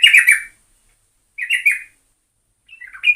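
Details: Trucukan, the yellow-vented bulbul, singing three bubbly, liquid phrases of slurred up-and-down notes, each lasting about half a second, with clean silence between.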